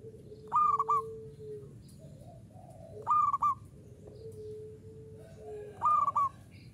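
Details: Local perkutut (zebra dove) in 'uraa umum' style, singing keenly: three loud, clipped triple-coo phrases roughly two and a half seconds apart, with long level tones from other birds and light background noise between them.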